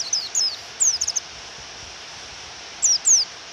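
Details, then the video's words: Sparse call notes of a female Japanese white-eye provoking a male: a few thin high downslurred chirps, a long gap filled with rain hiss, then two more chirps. "Pleci Suara Memanggil Lawan dan Suara Hujan"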